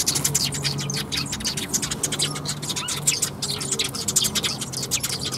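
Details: Sparrows coming to be fed at a bridge on 1 April 2021: dense, rapid bright chirps from several birds overlap continuously, short high notes tumbling over one another, with a steady low hum underneath.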